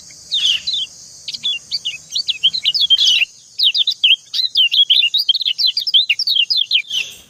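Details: Female and male white-eye (kecial) answering each other: a long, busy stream of high quick slurred chirping notes, a few per second, with brief harsher buzzy notes at intervals.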